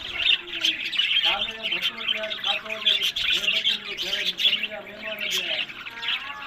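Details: Breeding budgerigars in Larkana, Sindh chatter constantly, a bright buzzy warble over a layer of lower, repeated, slightly nasal tonal calls, with a few sharp clicks.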